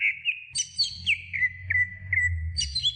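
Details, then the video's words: Greater green leafbird song played as a training recording: clear, sustained whistles dropping in short slides, broken by bright high-pitched twittering bursts, over a low rumbling hum. "Masteran Cucak Hijau Durasi Sedang"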